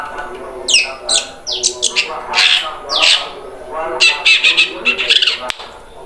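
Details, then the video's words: Juvenile long-tailed shrike practising its song (ngeriwik): quick downward-sweeping squeaky notes, then rasping, buzzy chatter in short clustered bursts, fairly loud and close, with faint low background noise. "cendet trotol belajar ngeriwik"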